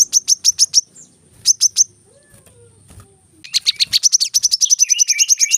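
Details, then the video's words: Brown-throated sunbird in dense rapid song used for cage-bird training: two short bursts of quick high chirps separated by a near-silent gap, then a long accelerating run of sharp, closely packed high notes. "kolibri kelapa | manggar | wiceh | masteran temabakan rapat"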